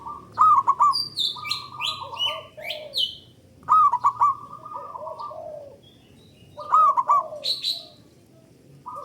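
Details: Local zebra dove with a loud, long song, used as a lure to stimulate other doves. Bubbling, warbled coo phrases followed by level drawn-out tones, repeated about every three seconds, with higher chirping birds between.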